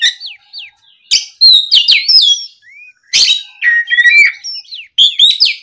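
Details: Oriental magpie-robin, provoked by a rival, pours out rich song: slurred whistles sweeping up and down, scratchy harsh bursts and high chips, in energetic bursts separated by short silences.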